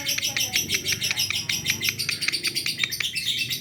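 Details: Reply calls of a lovebird responding to another of its kind: rapid, shrill, staccato chirps in an uneven rhythm, some doubled, running throughout with a soft low hum in the background.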